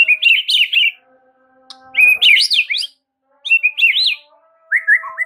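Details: White-rumped shama (murai batu) used as a master song to provoke response: rich whistled phrases swooping up and down, delivered in bursts of about a second with short pauses, plus faint steady tones beneath.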